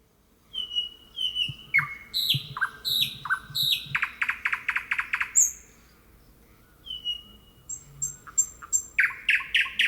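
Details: Thrush nightingale singing in the wild, a natural recording: loud varied strophes of falling whistles, a fast run of repeated dry clicks, a high sharp note, then rising repeated chip phrases after a short pause.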